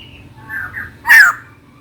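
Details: Female white-crested laughingthrush calling to a mate: faint soft notes lead into a single loud, rasping downslurred squawk over a low background hum.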